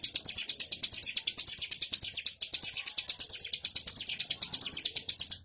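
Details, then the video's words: Ciblek gunung prinia performing ngebren 'wave shot' song: two bursts of fast, shrill chattering notes split by a tiny break, the rattle fading out sharply at the close. "Tembakan Gelombang Ciblek Gunung"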